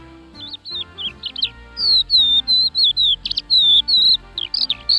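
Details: Crested lark song: a few twisting notes, then a series of clear, drawn-out descending whistles repeated roughly twice a second, ending in quick warbles, over a quiet low background.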